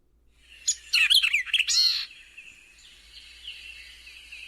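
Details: White-eyed Vireo song, one quick, emphatic phrase of sharp chips and slurred warbling notes lasting about a second and a half, then faint softer notes; a summer resident in Texas, foraging in dense undergrowth near the ground.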